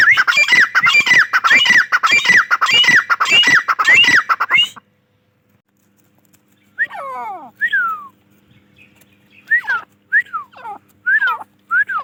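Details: Grey francolin (teetar) calls: a dense, harsh burst of rapidly repeated squealing notes for about five seconds, then silence, then scattered clear whistles sweeping downward, spaced a second or so apart.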